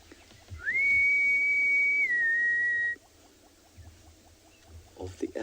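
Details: An African harrier-hawk, or two calling to each other, on a morning safari drive in a South African game reserve, 23 June 2020: one long, plaintive rising whistle held about two seconds, then dropping and fading, over faint ticking and low rumble.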